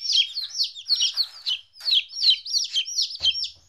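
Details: Fourteen-day-old baby chickens, separated from their mother for the first time, give loud, clear downslurred peeps in quick groups, with a short knock near the end.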